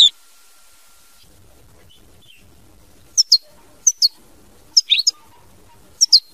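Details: European goldfinch, mama binette song style, delivering a few isolated high, clipped notes and short doubled chirps spaced about half a second to a second apart after a quiet start.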